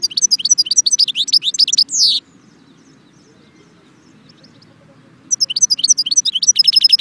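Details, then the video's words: Song of a European goldfinch from Jbel Wahch, Constantine: quick tinkling, twittering phrases ending in a downward slurred note, silence, then a fresh run of bright repeated notes with a thin steady whistle. "chardon chant Constantine jbel wahch"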